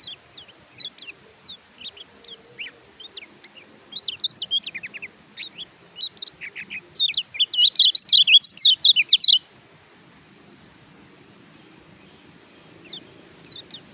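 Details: Oriental white-eye (kecial kuning), recorded as a tutor song for silent caged birds: rapid high chirps and thin whistled notes in a quickening run, peaking in a dense twittering burst before a pause and a few resumed notes.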